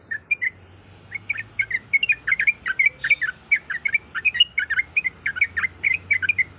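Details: Breeding female Sooty-headed bulbul summoning a male with quick bursts of harsh, squeaky chirps, some grouped in tight clusters, continuing throughout over quiet background.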